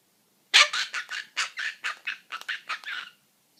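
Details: Pet cockatoo making funny sounds as if talking to its owner: a rapid burst of about ten harsh, chattering syllables over two and a half seconds, scratchy and mid-to-high pitched.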